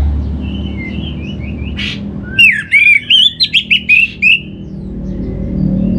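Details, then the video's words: Orange-headed thrush song, used as a lure to get birds singing: a burst of rapid, varied whistled and trilled notes lasting about two seconds, preceded by faint thin whistles over low background hum. "Trbaik Buat Pancingan Burung ANIS MERAH Agar Gacor"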